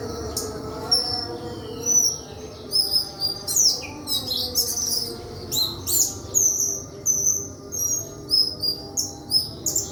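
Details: Lively White-throated flycatcher song: piercing whistled notes and quick chirp bursts repeated at short, uneven intervals throughout, over a soft low hum.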